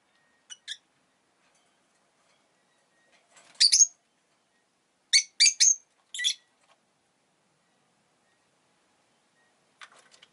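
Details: Scattered bursts of high, squeaky chirping from a pet rosy-faced lovebird: faint notes, then a louder cluster of four or five chirps, then quiet.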